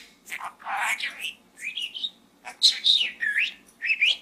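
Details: Pet budgie in a small gourd, mixing raspy speech-like chatter with clear rising whistles and squeaky warbled notes in a continuous stream.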